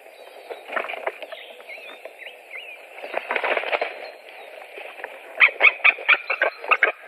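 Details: One of three white-tailed eagles, recorded on 7 April 2017, calling. After scattered softer notes, a loud series of sharp yelping notes comes at about three per second near the end, over a low background hum.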